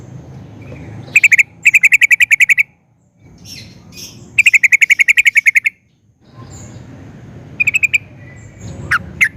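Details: Sooty-headed bulbul (trucukan) song used to get other bulbuls singing back. Three quick bursts of evenly spaced, sharp repeated chirps, each about a second long, with hushed gaps and a couple of isolated notes at the end.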